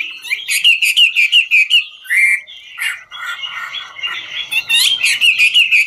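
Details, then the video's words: Dancing hwamei singing ngũ trường: quick repeated whistled notes, a held clear whistle, then a jumbled mix of softer warbling and harsher notes before rapid ringing phrases return. "Họa mi ngũ trường hót múa cực chất"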